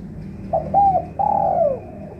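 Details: A single spotted dove lure phrase for trapping: a brief double coo, then a long, gently falling mellow coo, heard over low constant hum.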